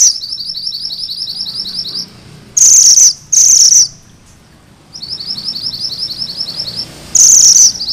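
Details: Sunda bush warbler giving its rolling 'ngerol' song, kept as tutor material for magpie robins: quick, high, upslurred notes in long runs, broken by loud, harsh, buzzy bursts.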